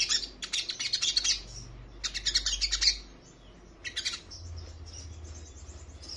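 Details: Crimson sunbird female in breeding condition calling the male: two bursts of rapid, high-pitched, sharp chips in quick series, a pause, then a shorter burst and faint high notes over a low background hum.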